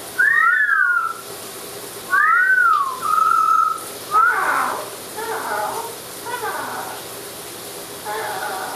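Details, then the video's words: A talking Amazon parrot in the shower gives loud swooping whistles, then a run of chattering, speech-like phrases, with a faint rush of running water behind. "Parrot Talking"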